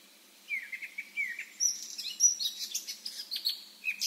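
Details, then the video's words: Wild Eurasian blackcap song: a few soft, low chattering notes, then a rush of high, jumbled twittering and bright whistles running on to the end. "chant & cri de la fauvette à tête noire"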